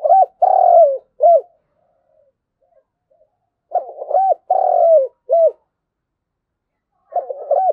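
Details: Spotted dove gives its flock-gathering call: repeated phrases of a clipped stuttering start, a long falling hoarse coo and a short final note, each phrase about three seconds apart, clean and close.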